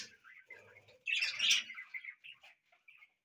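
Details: Budgies singing in a house: quiet chatter swells into a loud, dense burst of raspy warbling and squeaks, then fades into a few soft chirps.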